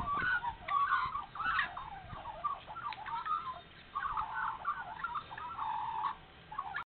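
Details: Australian magpies caroling early on a spring morning in Nowra, New South Wales, after being fed; loud, bubbling, flute-like phrases with sharp upward flicks, a short lull near the middle, then renewed warbling.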